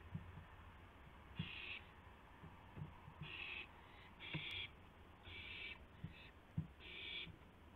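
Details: Owl bringing a gopher to another owl, 2:51 AM on April 2, 2016: a run of five or six harsh hissing screeches in quick succession, mixed with soft thumps and knocks of movement.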